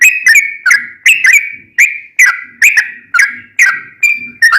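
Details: Sooty-headed bulbul in long lively lure song to draw answering bulbuls: loud whistled phrases of paired notes, some held flat, some slurring down, roughly every half second with faint low rustles between.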